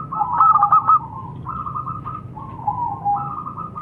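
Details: Local zebra dove (perkutut lokal) singing: soft, rolling cooing trills of quick, even pulses at a mid pitch, with a brief burst followed by longer descending and level phrases, over a low background hum.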